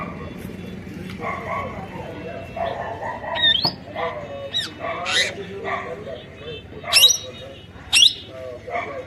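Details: Parrot from Nepal giving irregular harsh squawks and short chattering, speech-like notes, with two sharp, loud shrieks near the end over a low background hum.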